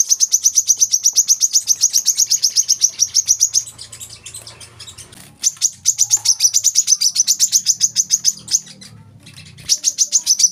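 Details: Olive-backed sunbird song, recorded as tutor audio for young caged birds: high, thin chipping notes strung into fast trills of about four per second, pausing briefly mid-clip while a low hum sounds underneath.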